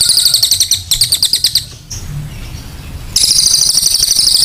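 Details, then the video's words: Cililin song for masteran: short bursts of high, buzzy pulses, then over a second of quiet with a faint thin note, then a steady sharp trill returns. "cililin gacor suara tajam"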